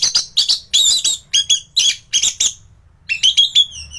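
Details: Orange-headed thrush gacoran song, a master recording for teaching other birds: a series of harsh, buzzy chattering bursts repeated about twice a second, followed by clearer whistled descending notes.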